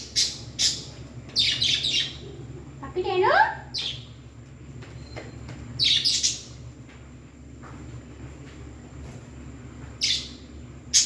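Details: Pet parrot giving scattered bursts of high, scratchy chirps and squawks separated by pauses, plus one short, sweeping whistled phrase near the three-second mark.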